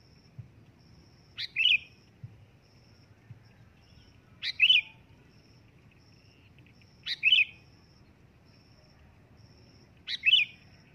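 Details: Loud calls of a sooty-headed bulbul, a crisp two-part chirp repeated four times at roughly three-second intervals, each starting with a quick sharp click before a fuller bubbling note, with a thin high pulsed tone running behind.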